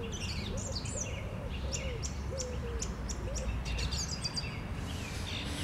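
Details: Song thrush singing on a Sunday morning, 11 April 2021: short high varied phrases of whistles and chirps, with lower whistled notes beneath, over steady low background rumble.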